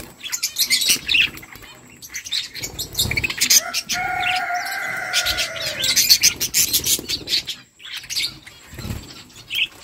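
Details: Flock of budgerigars chirping while eating: dense, overlapping high chirps and warbles with scratchy clicks, plus a sustained lower harmonic tone in the middle of the clip.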